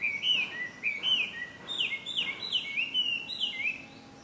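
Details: Chinese hwamei recorded at Ikimono Fureai no Sato, Japan, on 5 June 2020: loud, varied whistled phrases with rising and falling slurred notes, repeated in quick succession over faint background hiss.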